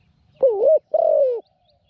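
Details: Spotted dove kept as a decoy for trapping wild doves, small-voiced and a keen cooer, giving two soft coos: a wavering note, then a longer steady one that slides downward.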